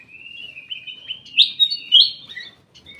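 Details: Ruby-throated bulbul in a private aviary, giving a long, slightly rising whistled phrase that breaks into brighter, louder chirped notes near the middle and end.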